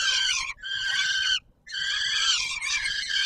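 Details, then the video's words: Peregrine falcon at feeding time, Palace of Culture and Science, Warsaw, Poland, 17 July 2022: two long, harsh, buzzy wails separated by a short pause. "Sokół wędrowny PKiN Warszawa - Chłopaki wstawać kolacja"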